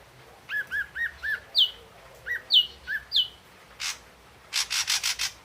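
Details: Ashy drongo phrases of short whistled notes: low arched whistles, then pairs of a sharp high downslurred whistle and a lower note, ending in a string of harsh rasping bursts.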